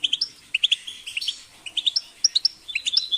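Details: European goldfinch chirping in rapid clusters of bright, high twittering notes between roughly 2 and 8k, short tinkling phrases with brief pauses, a liquid trill near the end; no other sounds.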